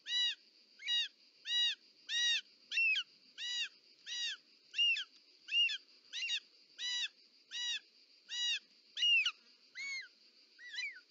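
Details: At the nest in Parc Natural dels Ports, Catalonia, on 18 July 2024, a short-toed snake eagle brings a snake. A long, regular run of loud arched whistles, one about every 0.6 seconds, now and then twisting into squeals, over a steady whine.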